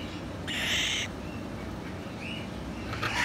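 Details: Two-month-old sulphur-crested cockatoo gives a harsh, raspy screech lasting about half a second, then starts a second rough screech near the end.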